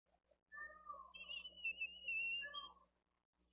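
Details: Bald eagle chick begging at the nest, Dade County live cam, 13 April 2023, during a fish feeding of the older chick; a long, drawn-out high whistle flanked by shorter, lower-pitched wavering calls.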